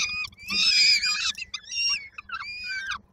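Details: Begging by peregrine falcon young in Koszalin, Poland, on 19 May 2022 as they await their mother with food: a loud, strained scream followed by shorter, thinner, wheezy cries.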